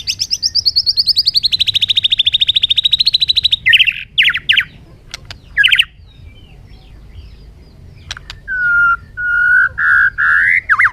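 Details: A bird delivers a long, fast trill of evenly repeated notes lasting several seconds, then a few rough notes, and finally a series of separate mid-pitched whistles.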